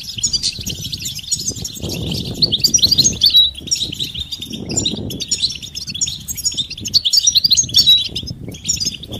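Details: Goldfinch batbata twittering for stimulating a silent male to sing: busy high chattering with brighter liquid flourishes, over noticeable low rumbling background noise that swells and fades.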